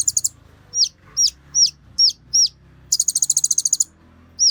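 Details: Sunbird known as Kolibri Ninja singing emotionally as a lure for others of its kind: a rapid stuttered burst, then five evenly spaced high, hooked down-slurred whistles, a fast chattering rattle, and another hooked note.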